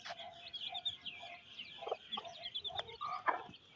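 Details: Hen and chicks feeding in rainy weather in a Pakistani village; constant shrill peeping from the chicks, broken by short low clucks from the hen.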